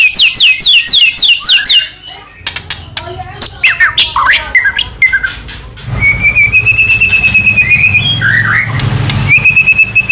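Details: White-rumped shama song played to make another shama sing: fast downslurred whistles, harsh chatter and clicks, then a long rapid trill of repeated notes.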